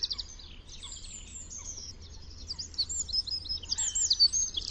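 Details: Eurasian wren from a free bird, a continuous thin, high twittering song of rapid sliding notes, somewhat faint against low background noise.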